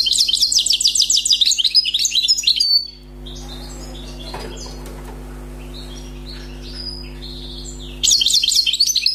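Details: Newly caught wild European goldfinch in song: a dense burst of rapid, tinkling, twittering high notes, a quieter stretch of scattered faint chirps, then another fast bright outburst, over a steady low electrical hum.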